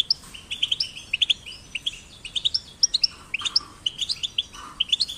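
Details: Goldfinch chick song for stimulating singing in goldfinches: bright, rapid tweets in short clusters of two to four notes, mixed with higher twittering phrases, repeated steadily for five seconds.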